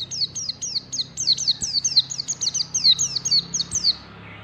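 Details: A white-eye sings its ngalas song style in the morning. The song is a rapid, high-pitched run of short, sharp, downslurred whistled notes, about four per second, held steadily for roughly four seconds and then ending abruptly.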